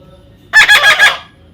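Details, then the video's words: Baby parrot uttering one brief, hoarse, pulsed squawk of about three rapid beats, grating and loud. "natural funny parrot sound"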